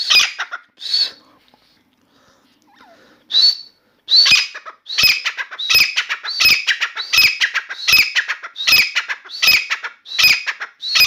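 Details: A newly acquired grey francolin calls indoors in a room, giving loud, harsh, screechy notes, a few scattered at first, then a steady run repeated about every three-quarters of a second.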